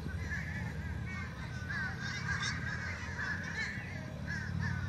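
Several fish crows give nasal, hoarse, overlapping calls in quick irregular bursts over a steady low rumble of wind or traffic.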